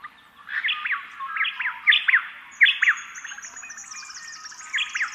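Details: A pair of White-eared Honeyeaters counter-singing in spring, alternating back and forth with bright two- and sometimes three-note "quit you" phrases, with thinner high notes running over them.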